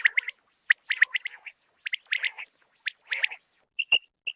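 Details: Common quail, in a quail-hunting context in Khyber Pakhtunkhwa/Punjab, Pakistan, giving quick clipped notes at mid-high pitch, bunched in short runs about every second, with a couple of sharp clicks between them.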